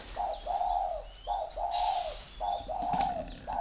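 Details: Gù thổ cooing of a spotted dove from a dove farm near Ba Vì, Hanoi, Vietnam: rounded low coos grouped in pairs, a short note then a longer one, repeated in a regular rhythm, with thin chirps of other birds.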